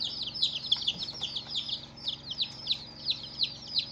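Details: First-day chicks give sharp, high, falling peeps in quick succession, about three a second, several voices overlapping, with nothing else clearly heard.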